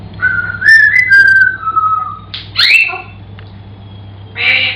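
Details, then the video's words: Pet grey parrot giving a whistled tune, clear notes gliding up then slowly stepping down, followed by a sharp squawk and a burst of harsh chatter; faint hum behind. "African Grey Parrot Singing"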